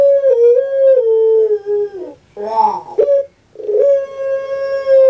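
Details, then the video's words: Long, steady coo from a kept puter pelung dove in Java, gently falling over two seconds, then a rough gurgled note and a new sustained, level coo. "SUARANYA BIKIN PUTER PELUNG LAIN SAKIT HATI"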